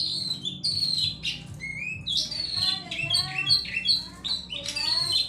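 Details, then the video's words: Sunda laughingthrush (cingcoang) singing varied whistled phrases, some descending slurs and rising notes, delivered in quick irregular bursts over a faint low hum. "Burung cingcoang gacor teler."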